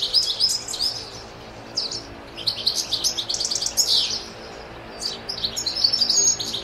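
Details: A wild goldfinch sings a lively, jangling run of high tinkling twitters and trills, bursts coming in quick uneven clusters with short pauses between.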